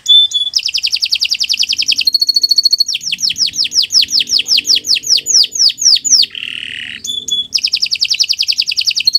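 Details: Canary song used as a master recording for training other birds: long, varied rapid trills of repeated notes high in pitch, fast buzzy rolls alternating with series of descending slurred whistles, sung continuously without pause.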